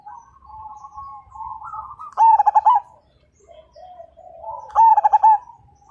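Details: Zebra dove of the Majapahit line, a prolific singer, its song meant to set other birds singing: soft wavering coos lead into a loud burst of rapid stuttering coos, repeated about three seconds later.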